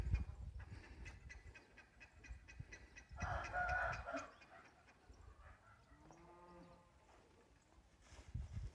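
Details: Golden-coloured Índio Gigante rooster, one of the breeding cocks, in Brazil, giving a short-style crow: a loud, harsh, harmonic burst lasting about a second, then a lower, drawn-out call that trails off. Faint clicking and background noise throughout.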